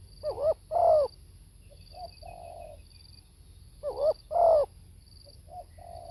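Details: Spotted dove, recorded live: two repeated phrases, each a loud pair of rough coos, then a short note and a longer soft coo. The phrases come roughly every three and a half seconds.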